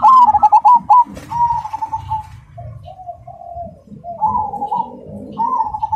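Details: Rhythmic song of a Cemani zebra dove, loud and clear: rapid stuttering coos open, then purring trilled phrases, softer lower notes, and renewed rolling cooing; low background rumble.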